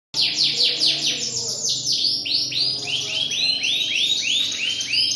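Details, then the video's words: Canary singing a continuous run of rapid downward-sweeping whistled notes, high and bright, repeated several times per second in rolling trills that shift slightly in pitch, with no other clear sounds. "seni dan keindahan. #kenari"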